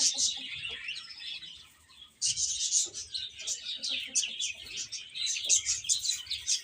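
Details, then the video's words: Young chicks eating and playing chirp in a thin high chorus that fades briefly, then returns abruptly louder with rapid, overlapping piping notes. "Cute Chicks Chirping Sounds"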